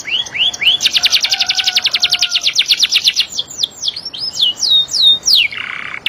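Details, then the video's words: Canary singing, likely caged, in a clear phrase: a few upward-swept whistles, then a fast even trill of about twenty rapid notes, followed by a series of slurred descending whistles and a brief buzzy ending. "TERAPI KENARI | CANARY SINGING"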